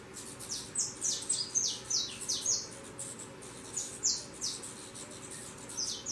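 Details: Saffron finch fledglings leaving the nest and taking flight give a busy series of short, very high, thin chirps, often downslurred, in quick irregular bursts with steady background hiss.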